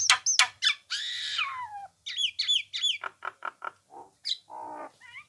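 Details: Nias hill myna song used as a training recording for songbirds: a rapid medley of sharp whistled notes, a long harsh buzzy burst with falling tail, quick clipped chirps and a nasal rattling phrase, all fairly high and loud.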